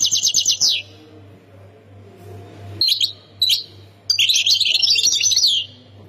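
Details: Goldfinch from Khemis Miliana in Ain Defla singing: a short rapid trill, a pause, two sharp isolated notes, then a tumbling phrase of high twittering and slurred notes; low hum in the background.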